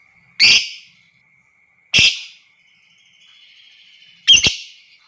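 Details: Lovebird calling, from a recording meant to provoke other lovebirds into long ngekek: three harsh, high, shrieking notes about two seconds apart, the last doubled, over a steady faint electronic whine.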